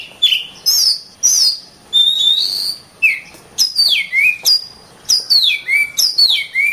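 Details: Singing kacer (oriental magpie-robin): varied whistles, including one held high note, lead into a rhythmic series of clear notes that each swoop downward.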